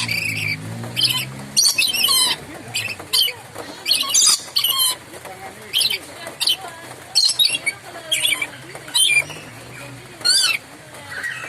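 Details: Moluccan lory calling loud and sharp: a long run of harsh, raspy shrieks repeated about every half second to a second, some doubled, over a low steady hum early on.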